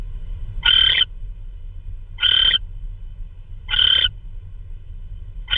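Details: Owl bringing in a prey item, perhaps a vole, in the night of March 16, 2013; three coarse, hissing screeches roughly 1.5 seconds apart, with a fourth starting at the end, over a low rumble.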